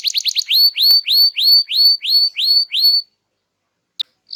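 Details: Lively canary song used to coax silent birds into singing: a fast stutter of high chirps, then about ten upswept whistled notes near two per second, then a pause and a sharp click.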